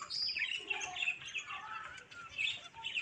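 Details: Young budgerigars chirping together, with quick bright tweets and scratchy warbles overlapping without pause, and a few short louder peaks across the short stretch.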